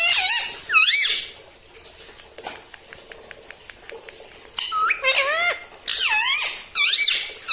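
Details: Pet ringneck parrot indoors in a small room, talking: bursts of strongly harmonic, wavering nasal syllables that rise and fall, in separate phrases with quiet gaps and faint clicks between.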